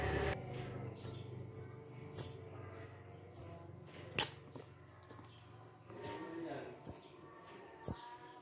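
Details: Munia taken in from behind a house and cared for, calling when hungry: thin, high whistled notes, some drawn out and slightly falling, given roughly once a second with short clicks between, faint music underneath.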